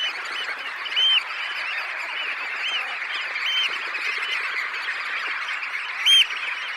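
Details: Red knot flock of roughly 20,000 taking off from a high tide roost: steady dense chatter, with two sharper upslurred whistles standing out near one and six seconds.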